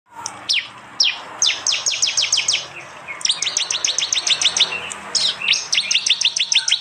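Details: Prinias, prenjak and jali, recorded by Android phone in East Java. Loud rapid 'tembakan' bursts of sharp downward-sweeping high chirps repeat in quick runs of eight to ten notes, with brief pauses between runs.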